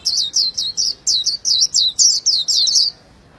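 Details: Japanese white-eye delivering a fast, loud run of high, sweet, down-slurred chirps lasting nearly three seconds, then falling silent.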